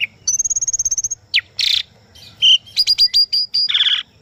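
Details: Asian pied starling song for tutoring captive birds: a fast train of about a dozen high ticking notes, a sharp downslurred whistle, harsh rasping bursts, then a loud run of clipped whistles ending in a scratchy note.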